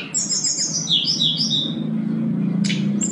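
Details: Sooty-headed bulbul singing constantly, used to coax a lazy bulbul into song as a training recording with full fills. A rapid twittering run of high chirps descends in pitch, then a brief buzzy burst over a steady low hum.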